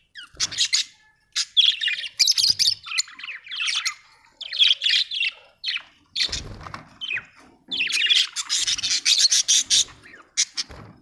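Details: Budgerigar, described as Australian, chirping steadily: a dense run of scratchy, buzzy chatter and squawky notes with few gaps, with some low thumps mixed in.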